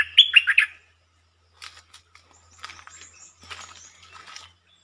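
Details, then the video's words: Red-whiskered bulbul giving a short song that opens quickly: one loud, rich phrase of warbled whistled notes lasting under a second, followed by faint, scattered chirps and rustling. "เสียงนกดอกแตงEp.150 จ้าวขันเงิน เปิดดอกเร็ว เพลงสั้นๆแต่น่าฟัง Suara pikat merbah lekir"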